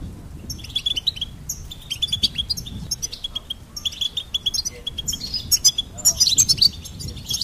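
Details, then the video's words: Goldfinch singing: bright, rapid twittering phrases of high tinkling notes and short buzzy trills, delivered in bursts separated by brief pauses, growing busier toward the end, over a faint low rumble. "Goldfinch Singing and Song Compilation"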